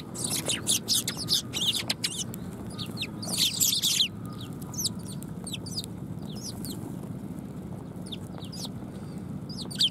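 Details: A flock of sparrows arriving to get food at a Tenmangu shrine, 18 December 2020: dense overlapping high chirping for about four seconds, then scattered single sharp chirps, with constant low rumble beneath.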